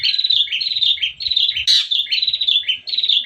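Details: Morning song of a long-tailed shrike, played as a lure to provoke other shrikes: a rapid, continuous stream of chirpy, slurred notes with one sharper harsh note in the middle, bright and loud throughout.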